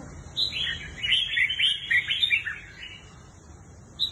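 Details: Red-whiskered bulbul, a kept bird offered for sale, pours out a continuous run of bubbling, whistled notes for about two seconds, then falls quiet before one final sharp note.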